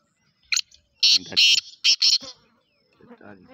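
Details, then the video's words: Black francolin giving a harsh, rasping phrase of a short note followed by four loud grating bursts, with a man speaking briefly afterwards. "kala Teetar Ki Awaz"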